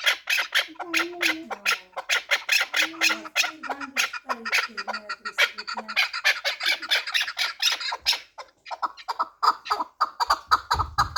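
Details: Pamir chukar partridge, four years old and used for fighting and hunting, chatters in dense, raspy repeated notes while a low voice speaks beneath; the series thins into scattered clucks near the end.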